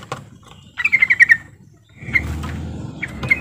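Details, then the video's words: Trucukan (yellow-vented bulbul) calling to coax silent birds into song: a quick bubbly run of about six notes, then scattered single notes over rumbling vehicle noise. "pancingan trucukan ini benar AMPUH bikin trucuk macet langsung auto gacor"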